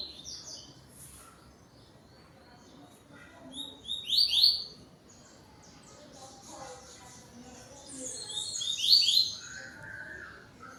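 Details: A yellow-billed double-collared seedeater, at home at dusk (17:31, 12 November 2025), sings its tui-tui song to another bird: two bursts of high, rapid, buzzy trilled phrases about four seconds apart, with faint chirps and low background murmur.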